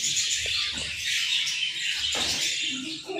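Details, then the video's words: Latino budgerigar mother with her chicks in captivity: steady bright warbling chatter of many overlapping high chirps throughout, with a few low knocks and rustles beneath. "Adorable Lovebirds: Latino Budgie and Her Cute Chicks"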